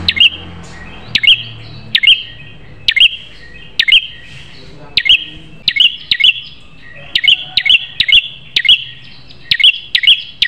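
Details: Prinia song for schooling caged prinias: loud repeated high notes, each a sharp crack then a short whistle, paired and tripled in quick runs roughly twice a second, with a low background hum at first.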